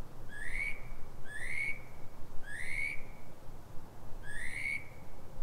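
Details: Pre-dawn night song of a Northern mockingbird in Silver Spring, Maryland, USA, at 3:44 am: four separate rising whistled slurs, each about half a second long, spaced roughly a second apart, with low background hum.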